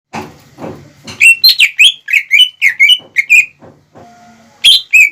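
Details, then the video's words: Greater green leafbird in lively lure song meant to rouse rival birds' aggression: a few rough, noisy bursts, then a run of loud ringing whistled notes with bright overtones, a brief lull, and two more sharp whistles. "PANCINGAN CUCAK IJO GACOR CEPAT MEMANCING EMOSI LAWAN"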